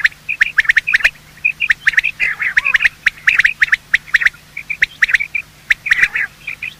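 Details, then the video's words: Morning calls of male and female quail for hunting use: quick repeated chirps and sharp clicking ticks in steady, crowded bursts, several birds seemingly overlapping throughout. "Quail calling sound: master the Art of Quail tripping | Bater Awaz Subha"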